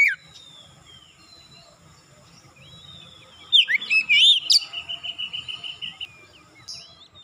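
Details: Oriental magpie-robin singing: soft thin whistles at first, then a loud burst of rapidly warbled, swooping notes running into a long string of quick repeated whistles, ending with a brief high note.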